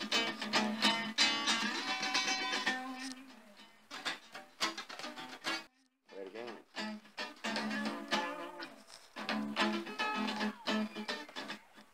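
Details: Plucked guitar music with a singing or speaking voice fills the whole stretch, with no animal sounds.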